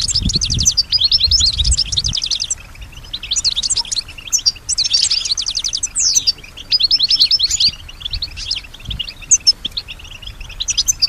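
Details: Caged European goldfinch, said to imitate surrounding sounds including other birds and human noises; a series of fast, rattling trilled bursts about a second long, separated by short gaps, with a low thump early on.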